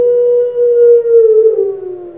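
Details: A Barbary dove entered in an online puter pelung cooing contest in Semarang, Indonesia, on 7 August 2021 gives one long, drawn-out coo, a steady mellow tone that sags slightly in pitch and fades over about two seconds.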